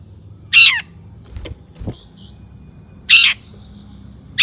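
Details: Long-tailed shrike lure recording: loud harsh rasping notes spaced about two and a half seconds apart, with a couple of faint clicks and a soft whistle between them.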